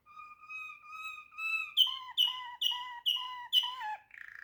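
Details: Waterslager canary song: drawn-out clear whistled notes held level, then a string of six loud bubbling, dropping notes at a regular pace, ending in a brief buzzy roll.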